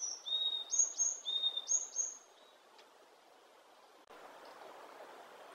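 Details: Wild varied tit giving a quick series of thin, high whistled notes in alternating pairs for about two seconds, followed by quiet and a brief dull knock.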